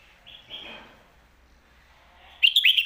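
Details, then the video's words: Caged Red-whiskered bulbul bred for song contests: soft, wavering warbles, then a sudden loud phrase of rapid, rich whistles in its lak wai or mae bot style. "ลากหวาย+แม่บท สลับวางเพลงชัดๆ นกแข่งอาชีพ"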